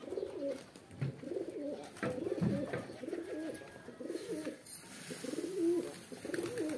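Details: Pigeon mating call: deep, burbling coo phrases of about half a second each, repeated in quick succession, with short gaps between bursts and one louder wing-like rustle near the end.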